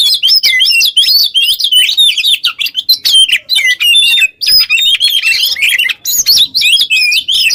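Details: Energetic kacer song in ngobra style for tutoring other songbirds; Oriental magpie-robin pours out fast, wavering whistled notes and scratchy chatter, pausing briefly once before resuming with bright looping phrases.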